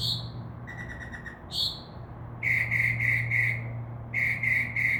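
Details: Mimicking Northern mockingbird in a tree by a window switches phrases quickly: a slurred high note, a buzzy stuttered series, another slur, then bursts of rapid, even, clipped notes repeated in groups, over a faint low hum.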